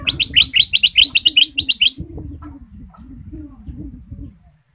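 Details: Sooty-headed bulbul, a male songbird in lively, full song, used as a lure recording: a fast run of about a dozen sharp, bright chirped notes for two seconds, then a low droning hum until the end.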